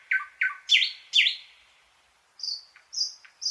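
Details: Short song fragment from a thrush nightingale: several hard, slurred notes in quick succession, a fading tail, a pause, then high, flat whistled notes with soft clicks between them.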